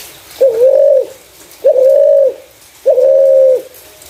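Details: Clear-voiced spotted dove calling, used as a lure for other doves. Three steady, hollow coos of even pitch, each lasting over half a second and opening with a short rising flick. Spaced about 1.2 seconds apart.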